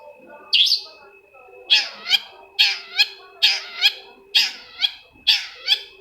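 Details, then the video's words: Long-tailed shrike song played to coax a silent shrike into singing: coarse, noisy paired notes, each harsh burst followed quickly by a second, repeating roughly every 0.8 seconds over a steady faint tone. "PANCINGAN CENDET MALAS BUNYI SEKETIKA CENDET LAIN LANGSUNG NYAUT!!! | Singing of shrike bird"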